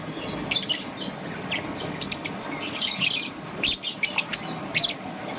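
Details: Morning chirps of a young peach-faced lovebird, green and yellow, with irregular shrill bursts and short harsh notes scattered across the recording over a low background hum.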